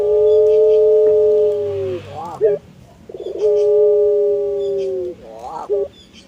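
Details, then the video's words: Head-bobbing puter pelung collared dove giving two long, even, humming coos, each ending in a rising, quavering flourish and a short clipped note, repeated roughly every three seconds. "Keunikan Burung Puter Pelung – Suara Merdu & Karakter yang Istimewa"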